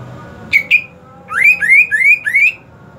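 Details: Kept greater green leafbird, looked after during the hot season: two short sharp whistles, then four loud rising whistled phrases in quick succession, each sliding upward, in a quiet room.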